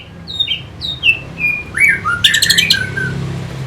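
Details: Orange-headed thrush, used to stimulate fighter birds, gives descending paired whistles, then a burst of swooping notes and a harsh rattling chatter before trailing off.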